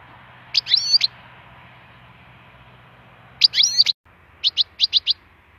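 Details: A wild goldfinch gives liquid twittered phrases with fast frequency sweeps, followed by a row of five quick sharp chirps; faint low background hum throughout.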